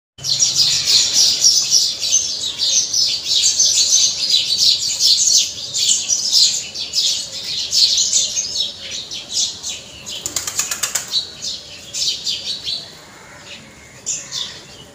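Several sparrows chirp loudly and continuously, a dense chatter of high, rapid cheeps that thins out toward the end, with a few sharp clicks.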